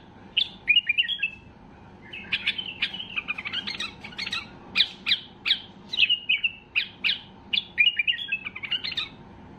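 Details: White-eared bulbul at the height of excitement, its song used to get other bulbuls singing: lively, uneven phrases of slurred whistles and crisp chirps, in bursts with brief gaps.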